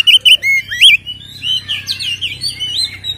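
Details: Oriental magpie-robin (kacer) delivering loud 'ngeplong' fighting song as a lure to make other kacer agitated: bold looping whistles first, then a softer, continuous warble of slurred twisting notes.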